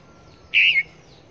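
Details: A caged decoy Red-whiskered bulbul used for bird trapping around Long Thành, calling wherever it is hung: one loud, slightly warbled, clear note lasting about a quarter second.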